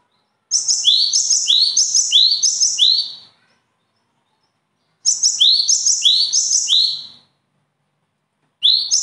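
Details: Songbird delivering bursts of rapid repeated phrases: a high piping note dropping into a rising, ringing sweep, repeated several times per burst, with quiet gaps of about two seconds between bursts.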